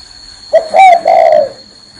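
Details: Single cooing phrase from a spotted dove perched on someone's hand: a short soft note, then a louder rolling coo and a long falling hum, ending in quiet.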